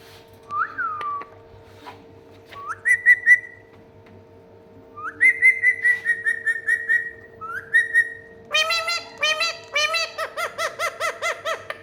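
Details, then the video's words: Indian ringneck parakeet (mithu tota), a pet talking parrot, gives short rising whistled notes, a few at a time with pauses, then a quick run of pulsed, buzzy harmonic notes near the end, over a steady low electrical hum. "Unbelievable Talking Parrot | Parrot Sound | Mithu tota"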